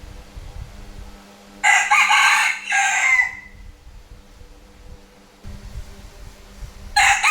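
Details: A rooster crows at noon in Vietnam, a loud raspy two-part crow of about one and a half seconds ending in a drawn-out falling note, then another crow begins at the very end amid low background rumble.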